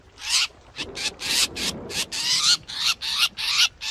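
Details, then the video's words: Harsh calls of a black drongo used to lure birds into traps, 2021: slower, longer scratchy bursts with faint rising whistled streaks inside them, separated by short gaps. "TIẾNG CHIM CHÈO BẺO"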